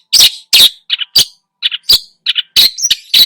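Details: Long-tailed shrike in full, mimicry-packed song meant to stir rival birds: rasping broadband notes alternate with short paired chirps, delivered in a jerky, uneven rhythm.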